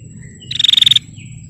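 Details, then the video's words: A female bar-winged prinia calls to provoke males. The call is one brief, loud, buzzy rattle of about ten evenly spaced high pulses, preceded and followed by soft thin chirps, over a low background rumble. "Suara Prenjak Betina Gacor Tarung Pancing Prenjak Jantan Biar Gacor"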